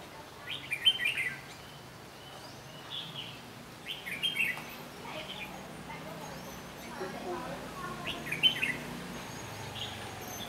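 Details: Red-whiskered bulbul used as a caged lure bird, singing to draw a wild bird into a trap, recorded 14 May 2016: short bright chirpy phrases in separate bursts about every one to two seconds, quiet against steady background noise.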